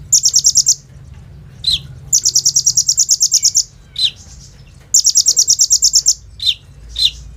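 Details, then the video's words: Phone recording of a kolibri ninja sunbird in energetic song with imitated bren and rambatan phrases, played as a lure to get other sunbirds singing: fast high pulsed trills alternating with single lower downslurred notes. "SUARA BURUNG KOLIBRI NINJA GACOR FULL ISIAN BREN RAMBATAN AK-47 !! COCOK BUAT PANCINGAN KONIN BAHAN"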